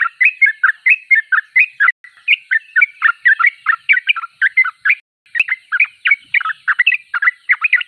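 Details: Energetic sooty-headed bulbul singing: a near-continuous stream of rapid, slurred chirping notes, about three per second, briefly interrupted by a soft click before the chatter resumes.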